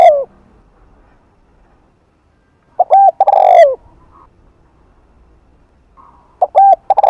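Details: Spotted dove in the afternoon giving 'Hạp Bổi' gù-style coos to attract doves: the end of one phrase, then a full phrase of short notes and a long throaty coo, another starting after a pause.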